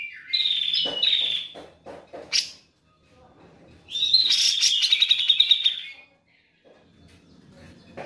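A grey-cheeked bulbul gives bright, chattering bursts of high warbled notes with short pauses between phrases.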